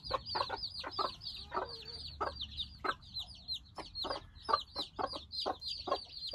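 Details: Pasgeboren Silkie chicks, newly hatched and outside for the first time with their mothers, peep nonstop: high, piercing, falling notes repeated several per second in an overlapping chorus, with scattered pecking clicks below.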